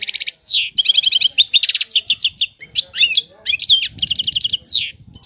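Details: Lively European goldfinch song mixing rapid trills, downslurred whistles and twangy chirps with almost no pause, over a faint low background rumble.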